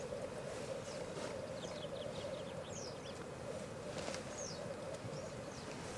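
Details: Black grouse displaying at a lek in Elverum in 2008, with 38 males present: a steady, continuous low bubbling chorus runs throughout, overlaid by repeated hissing, sweeping high notes that rise and fall.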